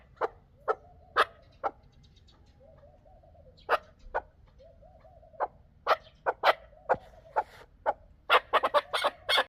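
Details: Chukar partridge clucking repeatedly in sharp, abrupt notes that speed into a dense, excited series. Softer wavering, warbled notes run beneath the clucks.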